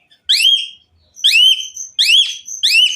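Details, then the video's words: Four bright, rising-then-falling whistled notes from an Asian pied myna, about one every 0.7 seconds, faint high piping between them; the song, with its filler phrases, is played to make other mynas sing. "Kicau Jalak Suren Gacor FULL ISIAN MEWAH Jadikan Jalak Suren Lain Ikut Gacor"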